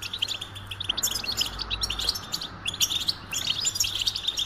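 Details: Goldfinch song of quick, tinkling chirp clusters and short trills in bursts, over a steady low electrical hum.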